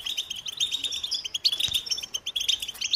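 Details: American goldfinch song: a rapid, unbroken stream of high, thin chirps and short warbled notes, densely packed with brief louder accents throughout, with no other clear sounds.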